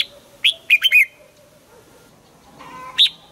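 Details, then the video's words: Red-whiskered bulbul singing a morning training song in the double-note old-wild style. A rapid, lilting four-note whistled phrase comes first, then a long gap with faint low hum, and finally one sharp, clear note. "Luyện giọng cho chào mào hót sáng, ép chào mào hót âm kép già rừng hay tuyệt!"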